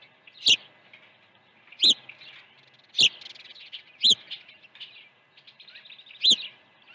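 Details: Osprey at a nest at Dunrovin Ranch during an early feeding on 1 June 2019, around 8:24 in the morning: five sharp, high chirped calls with downward-sweeping tails, spaced one to two seconds apart, with faint chatter between.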